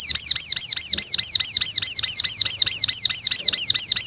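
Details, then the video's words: White-rumped shama training song: a steady, rapid, loud string of high down-slurred notes, about four per second, evenly repeated for four seconds. "MATERI BARU BURUNG MURAI dijamin nembak pedas"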